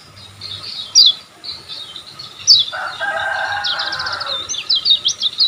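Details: Olive-backed sunbird song used as a master for caged birds: two sharp downslurred high notes, a lower rasping burst, then quick rising and falling high twitters.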